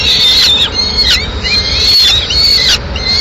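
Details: Peregrine falcon at its Madrid nest in mid-morning, the female bringing in the remains of a pigeon. A run of drawn-out whistled calls, some curving or dipping in pitch, is broken by a few sharp louder notes.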